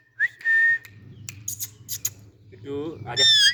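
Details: Young green Indian ringneck parakeets sitting on a stick and playing with each other alongside an Alexandrine parakeet: clear whistled calls that flick upward and then hold steady, plus brief chattering, rustling and a lower warbled call near the end.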